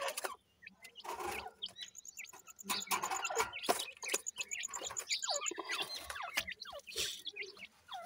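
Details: Captive grey francolin chicks, also called Irani francolin, 20 days old, giving short high chirps that slide downward, scattered and overlapping through the clip, amid frequent sharp clicks and tapping noises.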